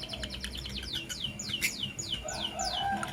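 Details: Morning chirping from a blue opaline and a green personata lovebird, said to be in love: a steady string of high, downward-sliding tweets, each briefly swooping lower, overlapping busily with quieter chatter underneath.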